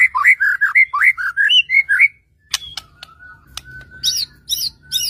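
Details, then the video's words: Provoking song of a white-rumped shama aimed at stirring other shamas: a quick series of short fluty whistled notes about twice a second, then a pause, clicks and a faint steady tone with harsh chips. "murai batu gacor AMPUH untuk PANCINGAN murai batu agar bunyi JADIKAN burung murai gacor EMOSI NYAUT"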